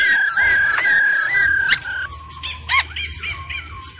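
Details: Laughingthrush singing, an old wild-bird voice with female trilling used to excite birds: long steady whistled tones, then short up-slurred notes repeated several times at lower volume.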